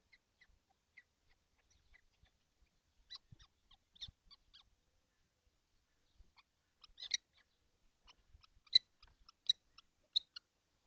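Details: Kestrels, seven together in a nesting box on a hot day, 12 June 2025: scattered short raspy notes, sparse at first, then louder clustered bursts in the last few seconds.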